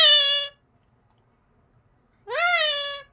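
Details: Pet parrot saying bye indoors: two drawn-out, nasal, harmonic-rich voiced sounds, one at the start and one near the end, separated by nearly two seconds of silence.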